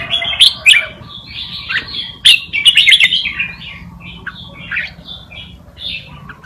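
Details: Tutor song of a red-whiskered bulbul for training young birds: a busy stream of chirped and warbled notes with sharp clicks near the start, fading into softer whistles, a low hum throughout.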